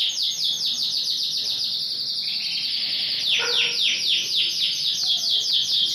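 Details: Yorkshire canary in full song, a big-size ringed bird: dense rapid rolling trill of repeated high swept notes, sustained without break throughout.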